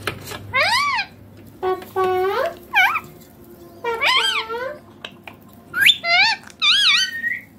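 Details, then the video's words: Rose-ringed parakeet talking in a string of short, high, word-like phrases with rising and wavering tones and a few squeaky bursts between pauses, in a quiet room; around the clip it repeats "bye bye papa" and "mummy". "Ringneck Green Parrot talking"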